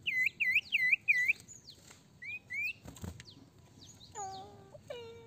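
A Black-winged Flycatcher-shrike gives four quick, bright swooping whistles, then a looser run of slurred whistles and lower, rich notes.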